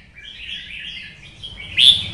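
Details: Red-whiskered bulbul, 'twisted voice' style, pushed into fighting song: a soft, wavering warble over faint low noise, cut by a sudden loud, high, piercing note near the end.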